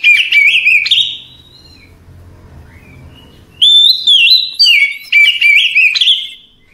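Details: Oriental magpie-robin in relaxed night song, delivering rapid bursts of sweet, sliding whistles and sharp chirps, separated by a soft lull of faint notes, then several more loud phrases in quick succession.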